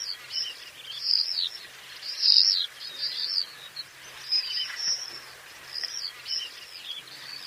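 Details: Common swifts heard at a distance: thin, shrill screams in separate bursts every second or so over steady background hiss.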